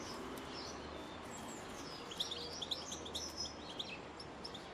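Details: A blue tit at a nest box in Cornwall gives thin, high chirps in loose, uneven bursts of about two a second, over a steady background hiss.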